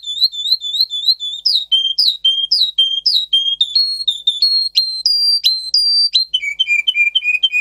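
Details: Training song of a Russian singer canary: varied tours in sequence, looped rising notes, lower whistled slurs, higher sharp descending strokes, then a fast lower trill, each phrase repeated several times.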